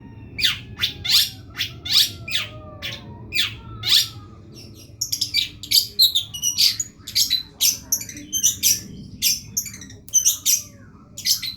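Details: Long-tailed shrike singing in a masteran (tutor) recording: a string of sharp, harsh chattering bursts, about two each second, some with thin falling whistles, over a constant low hum.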